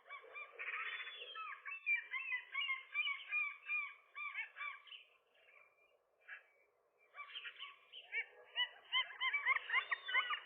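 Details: Gull pair at their rooftop nest scuffling with a single intruding gull in the morning; bursts of hoarse, overlapping yelping calls, a near-silent gap around six to seven seconds, then renewed rapid squeals.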